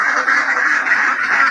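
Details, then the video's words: Village ducks from Assam giving a brief burst of loud, rasping quacks run together into one steady, nasal chorus with barely any pause. "Beautiful Ducks Crying|| Ducks sounds"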